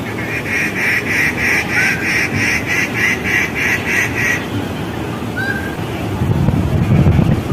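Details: On a fig tree, a Rufous treepie delivers a quick regular string of rasping, nasal notes for about four seconds. A softer whistled slur follows, with low rumbling noise throughout.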